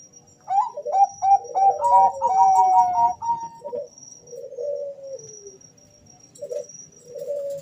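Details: Two male Bangkok-strain zebra doves call at once, so their rapid whistled coos overlap at two pitches. Lower, softer warbling coos follow in the quieter second half.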